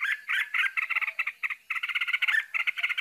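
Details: Bulbul chicks being fed; harsh, buzzy, rasping notes repeated rapidly in uneven bursts, about four per second, nearly continuous with one brief pause.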